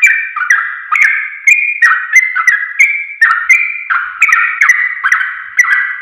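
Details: Recorded to teach caged birds, a sooty-headed bulbul (trucuk) gives a brisk, continuous chatter of slurred, mellow whistles, around three notes a second, each note dipping down after it starts.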